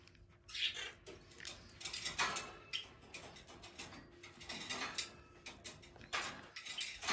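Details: A young pet society finch sings a quick, scratchy jumble of buzzy notes with a few thin high whistles while riding a skateboard and eating, mixed with rattling, clicking mechanical noises; Society finch song.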